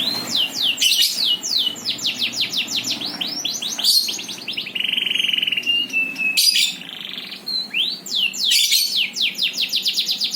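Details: A bird pours out fast, high, downward-sweeping notes in long trilled runs, with a drawn-out buzzy note in the middle.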